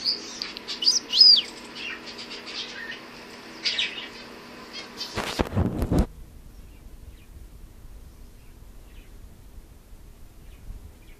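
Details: Male Gouldian finches kept at home, showing off; soft high chirps and thin whistled notes fill the first four seconds, then a loud burst of wing flapping, followed by near silence.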